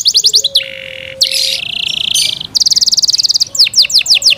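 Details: Caged Yorkshire canary singing a loud, varied song: quick downward-sweeping high chirps, a sustained buzzy trill, then a rapid rattling run of repeated notes and more slurred high chirps.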